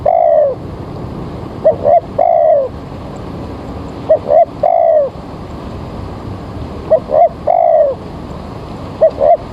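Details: Early-morning spotted dove used to lure birds for trapping, weather turning rainy: repeated phrases of two quick coos and a longer falling coo, about every two and a half seconds, steady low background hiss.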